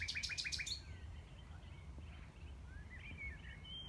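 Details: Brief nightingale phrase recorded from a tree platform on a former arable farm in West Sussex, May 2018: five quick, loud repeated notes opening the clip, followed by softer scattered whistles and quiet rural background, with a blackbird in the distance.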